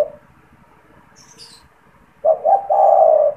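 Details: Captive spotted dove, kept as a frequent caller for luring wild doves into traps; after two quiet seconds, one low coo phrase of two short notes and a longer rolling note, with a brief high chirp from another bird earlier.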